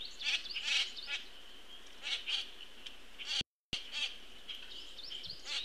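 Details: A young Common Grackle being fed by its parent, afternoon of 22 June 2018 on a bird feed: rasping, noisy begging notes in quick clusters, some doubled, repeated through the stretch above a continuous high-pitched background tone, with one short gap.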